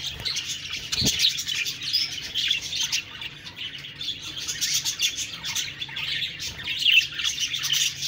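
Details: Budgerigars chattering in a crowded chorus of high chirps and squawky warbles, with a single dull thump early on.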